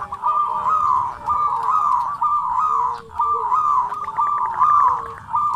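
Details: Local zebra dove, used as a master bird to train quiet doves, cooing in the kerot and bekur putar style: rolling, buzzy mid-pitched coos repeated roughly every second, with a lower steady tone and faint chirps beneath.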